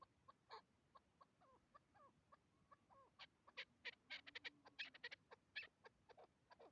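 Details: Hybrid chukar partridge heard during hunting: a run of soft, quick chirping notes, followed by louder, sharper clucking calls in irregular rapid bursts, with a low faint hum beneath.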